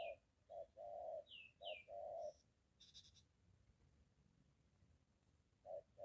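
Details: Spotted dove cooing near a home, with a molting decoy and a wild bird; a run of short and drawn-out hollow coos, then quiet with brief high chirps and a buzzy note, and one more coo at the end.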